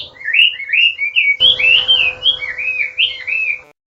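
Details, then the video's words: Chinese hwamei, also called wambi, singing a master song for training cage birds. A rapid run of clear, slurred whistled notes rises and falls in about eight phrases over four seconds. A steady low hum enters midway. "SUARA MASTERAN BURUNG HWAMEI ATAU WAMBI GACOR"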